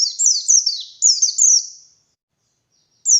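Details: Wild white-eye lure song recorded in the morning: a quick string of shrill, downward-slurred notes fading out, about a second of silence, then a new high note begins.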